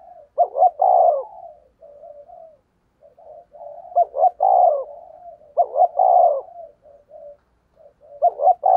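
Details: Spotted dove used as a decoy to draw in wild birds, giving three repeated coo phrases about two and a half seconds apart. Each phrase has clipped opening notes, then a drawn-out husky coo and soft trailing notes.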